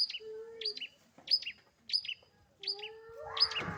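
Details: Long-tailed shrike kept as a pet, singing in a lively style: repeated high, sharp two-part chirps, each a clipped note dropping into a lower one, about every 0.6 seconds, with a low hum and a burst of rustling noise at the end.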